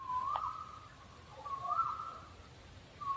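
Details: Owl giving drawn-out whistled notes near one pitch, the first lasting almost a second with a slight rise, a second wavering note after a short gap, and a third starting at the end; low rumble underneath.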